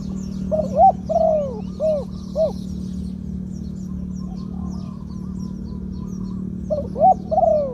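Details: Spotted dove decoy in the two-note 'kuk khu-ang' style with a mid-pitched voice. A few short coos and drawn coos come early, then a quiet gap, then more coos, with a steady low hum and faint chirps.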